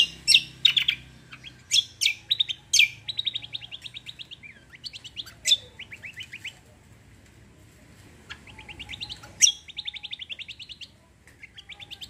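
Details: Cucak kombo in full roll tembak song: loud high chirps broken by rapid rattling runs of short repeated notes, with quiet gaps between phrases.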